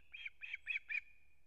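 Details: Osprey male bringing a whole fish to its chick at a nest in Kurzeme, Latvia, on September 3, 2024: four quick, high, squeaky whistled notes in a row, evenly spaced, with faint low rumble beneath.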